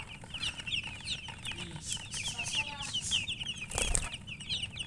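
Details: Chickens keep up constant shrill chirping, quick slurred peeps tumbling over one another; a brief burst of wing flapping near the end and a low background hum.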